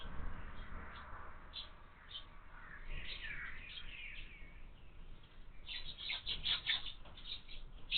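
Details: House sparrow chicks begging in a feeder on a window: sparse chirps at first, then some sliding, wavering notes, ending in a rapid excited run of high chirps.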